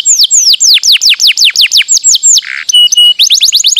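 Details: Energetic canary song offered to rouse lazy canaries: a rhythmic sequence of sharp downward-sweeping whistles, a short low buzz, a flat tone, then quicker rising notes.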